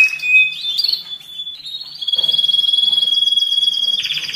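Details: Domestic canary singing for the molt and rest phase, to excite males and prepare females for breeding. Short whistles climb in steps into a sustained pure whistle, joined by a fast pulsed trill at a higher pitch.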